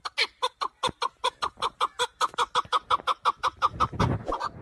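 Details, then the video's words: Calls of a male hunting partridge: a steady train of sharp, clipped chuk notes repeated roughly three times a second, evenly spaced at first and slightly blurring toward the end, where a low rumbling background rises. "Овози кабки шикори Keklik avi Partridge صوت ذكر الحجل للصيد اواز کبک"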